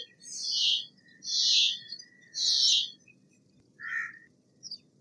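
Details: Steller's jay giving three loud, harsh, raspy screams, each about half a second long and spaced roughly a second apart, followed by a shorter, lower rasping note and a faint high chip.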